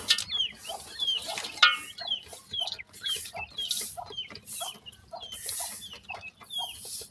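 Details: A group of young partridge chicks peeps steadily. Each note is a sharp, high whistle dropping in pitch, with many overlapping, set against soft rustling.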